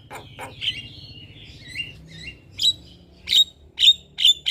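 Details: Javan myna heard in the morning as a singing tutor and lure: soft wavering whistles slide downward, then bright sharp whistled notes repeat about every half second near the end.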